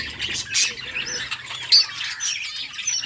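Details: Happy budgerigar sounds: softer, scattered high squeaks and thin whistled notes with occasional brighter chirps over a faint low hum.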